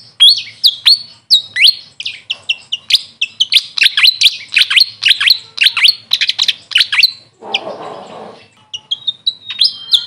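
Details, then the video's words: Grey fantail, locally called Maria Capra, giving a dense run of sharp, high chirps and short downslurred notes, repeated rapidly for about seven seconds, broken by a brief rustling noise, then a few more chips. "Grey Fantail bird call||huni ng Maria Capra kung sa amin tawagin"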